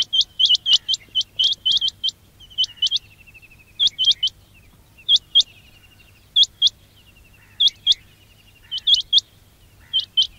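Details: Quail calls meant to lure quails for trapping: high, crisp upswept chirps, first in a fast run, then in spaced pairs and triplets with faint trills between.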